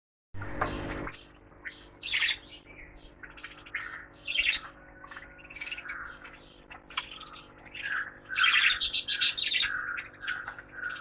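Budgerigars chatter with quick, scratchy chirps and warbling squawks, bursting out every second or so.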